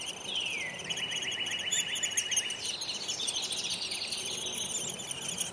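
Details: Baby Downy Woodpeckers in a nest hole in spring call while being fed: a high thin falling note, then fast buzzy chittering trills that run on almost without pause.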